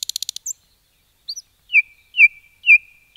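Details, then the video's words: Common nightingale in a forest giving a fast dry rattle, a short pause, then three loud slurred whistles descending in pitch, each about half a second apart, with no other sounds. "Nightingale song"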